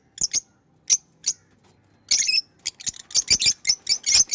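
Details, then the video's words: Pet lovebirds: a few spaced shrill chirps give way to a busy stretch of rapid, overlapping high chattering. "Beautiful Pets Love birds chirping & Sound"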